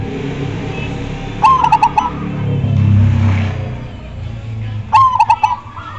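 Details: Zebra dove (perkutut) song: a clear opening coo then a quick string of four throbbing notes, given twice about three and a half seconds apart, with a low humming swell between the phrases.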